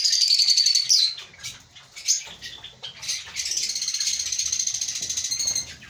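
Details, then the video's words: Lovebirds of a breeding colony chattering nonstop: a shrill whistled note sliding down opens, then scratchy calls, then a long run of fast buzzy chirps of steady rhythm, many birds calling together. "Lovebird Singing & Chirping Sounds"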